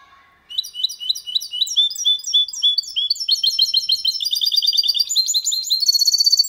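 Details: Goldfinch and canary hybrid, kept in a cage, sings cleanly without faults, a song meant to stimulate hens and tutor young birds; rapid high twittering phrases build into faster, trilled, tinkling notes over about six seconds.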